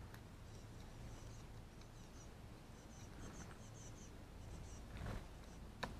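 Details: A young great spotted woodpecker (Dendrocopos major) gives a begging call, thin, high chirps in quick repeated bursts over a steady low rumble, with a couple of sharp knocks near the end.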